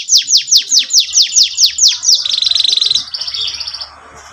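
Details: Canary song, 'cuit cuit nembak panjang' style, played to train young canaries: a string of loud falling whistles, about two per second, that runs into a fast buzzy trill and fades out.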